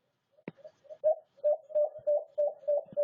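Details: Low, hollow cooing series from a white-eared brown dove. It opens with soft, faint notes and a click, then builds into steady, louder coos at roughly three per second.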